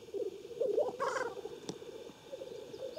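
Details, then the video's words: Lekking black grouse at Klassino, Omsk region, Siberia, 2018; steady low bubbling coos overlap in a dense chorus, broken by a brief rasping hiss, with distant thin bird notes. "Black grouse lekking"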